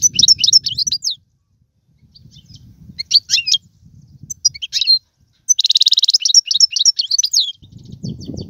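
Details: Singing European goldfinch, tiwawati, galoubi and serfati song styles. Sharp chattering notes and a long buzzing rattle come in uneven bursts, separated by quiet stretches. There is a faint low hum.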